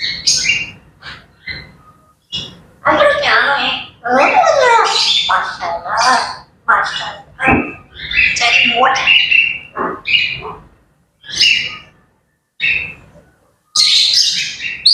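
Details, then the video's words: Lively morning chatter from grey parrots: a long, dense stream of speech-like babble, squawks, clicks and whistles, with brief quiet gaps. "Grey Parrots Chattering and Bird Sounds to Wake Up to"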